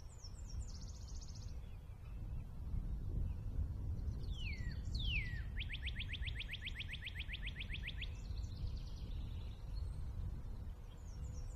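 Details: Northern cardinal (Cardinalis cardinalis) singing two sharp downslurred whistles, then a fast, even trill of rising notes, while another bird trills high and thin over a low rumble.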